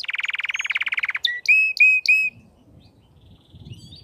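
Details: Crested canary opens with a fast, even buzzy trill lasting about a second, then three clear rising whistles before the song stops, leaving faint low background noise.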